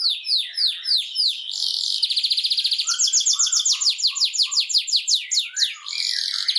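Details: Canary song used to motivate canaries: descending whistled slurs, a fast buzzy trill, then rolling rapid notes with lower short chirps beneath.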